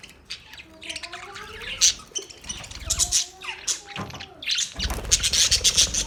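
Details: Budgie parakeets calling, uneven bursts of harsh high chirps and squeaky squawks at irregular spacing, with soft low tonal lines and occasional thumps in the background.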